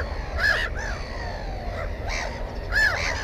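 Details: Black-headed gull beside its nest with one egg and one chick, recorded on a GoPro: two strong rasping cries with softer overlapping calls between them, over constant low background rumble.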